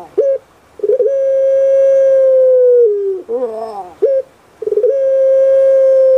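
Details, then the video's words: Singing pet puter pelung dove from Java, Indonesia: short clipped notes leading into a long level hoot that slides lower, then a rough bubbling gurgle and more clipped notes before the next long hoot. "PUTER PELUNG SUARA EMPUK RASANYA PAS DI HATI"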